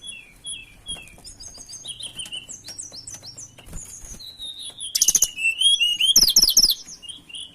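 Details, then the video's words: Tledekan in breeding condition, singing to seek a rival. Thin high whistles and chirps grow into loud, rapid rolling trills and warbled phrases in the second half. "Pancingan Burung Tledekan Gacor Birahi Cari Lawan"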